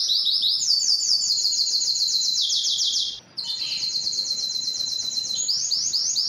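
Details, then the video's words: Canary singing strongly to attract a mate for breeding: rapid high trilled tours changing pitch every second or two, a brief silence, then the trilling continues. "canary singing is very strong and long to attract females for mating and breeding"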